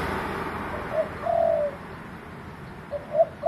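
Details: Spotted dove giving a low, mellow coo phrase: a brief note, then a longer sustained coo falling at the end, with the start of another phrase of short coos following, against faint low background hum.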